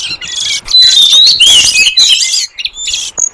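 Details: Wild oriental magpie-robin of the forest, used as a lure call for wild birds: bright whistled slurs and warbling notes layered over rough, hissing chatter, with a brief quiet gap near the end.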